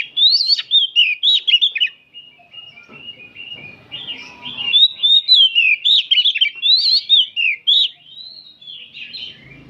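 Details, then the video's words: Many oriental magpie-robins in afternoon song, recorded for training: strong, rhythmic runs of sweeping whistles and warbles, roughly four notes a second, with a short quieter pause in the middle. "Kicauan kacer ombyokan bahan disore hari dijamin kacer anda buka ekor!!!"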